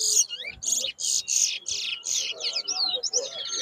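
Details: Towa towa in a 2022 whistling competition at Bath Settlement, Guyana, giving loud, bright chirped notes in fast repeated bursts, sweeping up and down, with a faint steady hum beneath.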